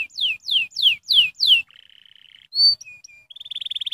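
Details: Canary stimulating song: five loud descending whistled sweeps, then a low rattling buzzy trill, a single sharp note, short pure whistles, and a final rapid rising trill of repeated high notes.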